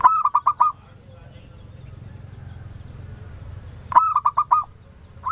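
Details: Actively singing local zebra dove, kept as a lure to provoke answering calls: two bursts of five rapid, ringing coo notes, separated by a quiet gap with faint high twitters, and a third burst beginning at the end.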